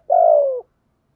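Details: Decoy spotted dove cooing to urge wild doves to respond: a single low, smooth coo about half a second long, slightly falling in pitch at the end, in a quiet setting.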